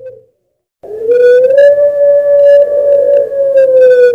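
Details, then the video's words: Puter pelung Barbary dove from a Sragen, Central Java bird farm, champion singer recorded to stimulate other doves: after a brief note and pause, one long pure sustained coo rising slightly then holding steady for over three seconds. "Suara Puter Pelung Juara (Masteran & Pancingan)"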